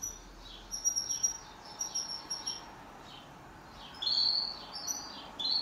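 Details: Home canary singing a duet: a rapid string of thin, very high tweets at first, then quieter descending slurs, followed by a loud sustained chirp and one more short call.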